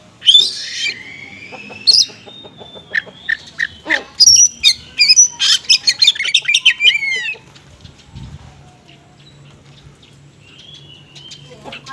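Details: Oriental magpie-robin in 'konslet' style song with small-bird material, used to lure unresponsive magpie-robins: loud harsh and whistled notes, rising sweeps and rapid clipped phrases, then fading to quiet background hum.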